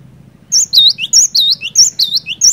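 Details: Cinereous tit singing vigorously, meant to prompt quiet birds to sing: high, sweet repeated phrases of a sharp note, a swooped whistle and a falling note, about six rounds, still continuing at the end.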